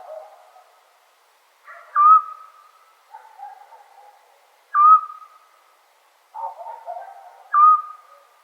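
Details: Eurasian scops owl on a summer night in Serbia, giving a short, clear whistled 'tyu' note about every three seconds, with softer, lower hooting notes between from a second caller.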